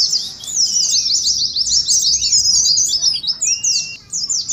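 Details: Wild-type Oriental white-eyes in ngeriwik song for contest simulation: quick, dense, high-pitched twittering, with a few lower slurred whistles mixed in.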